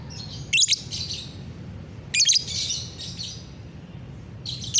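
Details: Lovebird singing in the morning, 30 November 2021, with rapid scratchy twittering bursts, sharp chirps at the start of each phrase, roughly every one to two seconds, low hum beneath.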